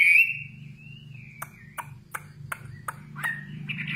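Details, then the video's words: A common nightingale sings a long, clear whistle that rises slightly and holds, then a run of sharp clicking notes about three per second, ending in a buzzy flourish. "Singing nightingale. amazing bird song"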